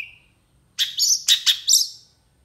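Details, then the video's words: Long-tailed shrike in a full-repertoire tutor recording, said to react quickly to other shrikes: a faint thin whistle, a pause, then four loud scratchy, chirping phrases in quick succession, ending in a fading buzz. "PENTET GACOR EMOSI CEPAT DI RESPON CENDET LAIN, MASTERAN CENDET FULL ISIAN"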